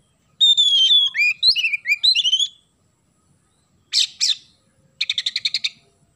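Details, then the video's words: Singing Oriental magpie-robin with a house-sparrow-filled repertoire opens with a rich two-second run of varied whistled, slurred notes rising and falling. Two loud chirps follow, then a fast chattering series of about eight notes. The background is quiet. "KACER GACOR ISIAN GEREJA"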